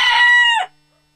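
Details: Rooster crowing in the morning: the loud, harmonic tail of a cock-a-doodle-doo, held steady for about half a second and then dropping sharply in pitch before cutting off into silence.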